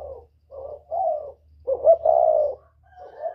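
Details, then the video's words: Northern-style spotted dove 'kích bổi' lure call with whistle-like voice: soft low coos, then a loud emphatic stretched hoot, and a quieter closing note, with a light low hum in the background. "Tiếng chim cu gáy miền bắc kích bổi mới nhất, cu gáy giọng còi, Terkukur"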